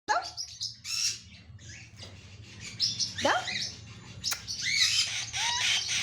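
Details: Ring-necked parakeet kept as a pet, giving sharp squawks and chirps with rising and falling whistled notes, short bursts with pauses, some music and a person's voice nearby.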